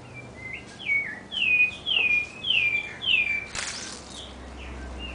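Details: Sabiá thrush singing in a city backyard: a run of clear whistled phrases, each sliding downward, repeated about twice a second, with a soft steady background hiss.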